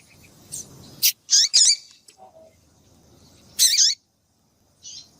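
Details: Calls of a female double-collared seedeater, used to fire up males to sing: a cluster of quick, piercing high chirps with downward-curving notes, a faint lower note, then another loud chirp and a softer one.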